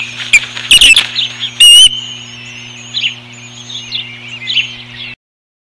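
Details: A banded male osprey attempting to mate with a female on May 29, 2015 gives a few loud, high chirps early on, then fainter thin twittering notes fade out, over a constant low hum.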